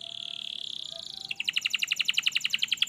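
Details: Canary song meant to stimulate a lazy canary to sing: a steady high buzzy trill gives way to a rhythmic rolling series of clear pulses, about eight per second.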